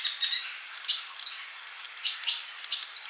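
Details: Male olive-backed sunbird in full voice, used as a tutor recording for young birds not yet singing; sharp, very high chirps and short thin notes come in scattered bursts.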